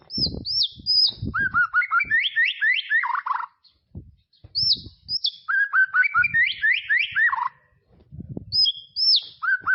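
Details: White-rumped shama in tropical forest, repeated rich phrases of high hooked whistles and fast descending note runs, with low thumps between phrases.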